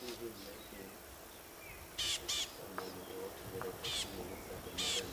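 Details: Rattling Cisticola alarm-calling near a male leopard at a termite mound on a sunrise safari drive, 14 August 2016: four loud, harsh, buzzy rasping calls in about three seconds over low engine rumble and faint speech.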